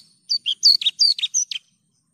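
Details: Javan bush lark in lively song: a short, varied phrase of loud, whistled and slurred chirps, some sweeping down, others looping up, delivered in under two seconds.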